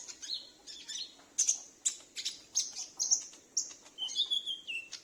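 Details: Sunbird kept at home, calling back and forth as a lure for wild sunbirds: a string of sharp high chips roughly every half second, followed by a lower flat whistled trill from another bird.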